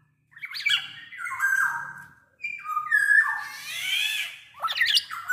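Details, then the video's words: Big-bodied black-naped oriole in full song, used as a lure to prompt other orioles to sing: loud, harsh, nasal squawks mixed with fluting slurs in bursts with short pauses, apparently recorded indoors. "SUARA KEPODANG GACOR BUAT PANCINGAN KEPODANG AGAR BUNYI"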